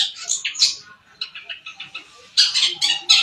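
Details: Harsh, rapid chattering from a white-breasted, shaggy-crested long-tailed shrike of Sapudi origin: noisy rasping notes repeated several times a second, dipping quieter midway before a loud scratchy run at the end.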